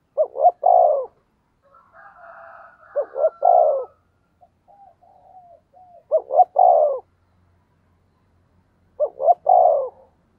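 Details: Decoy spotted dove giving repeated 'thúc gù' coos that provoke wild doves to answer: four low, hoarse phrases of paired hoots and a falling coo, roughly every three seconds, with thin wavering tones heard between.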